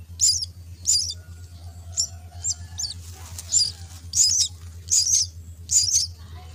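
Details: Common myna chicks begging while being fed at the nest: harsh, high, raspy bursts repeated about once a second, some doubled, over a steady low hum.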